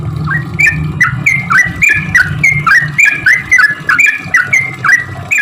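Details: Lively sooty-headed bulbul song meant to lure other bulbuls that are slow to sing: rapid repeated 'cuk cuk' notes, each a short downward-then-up slur, nearly continuous over five seconds, with steady low hum behind.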